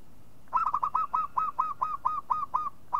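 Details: Local zebra dove call for luring other doves: one long unbroken run of about a dozen short, evenly spaced, slightly downslurred coos, delivered briskly over soft background hiss.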